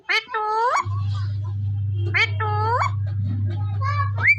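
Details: Desi Indian parrot from Punjab giving two bursts of rasping calls, each a cluster of rising harmonic notes about two seconds apart, then a rising whistle, with a steady low background hum.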